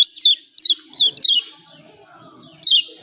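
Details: Yellow white-eye, kecial kuning of Lombok, giving its ciak ciak call used to provoke reluctant birds into singing: loud descending chirped notes, several in quick succession, then a pause and one more, over a quiet background.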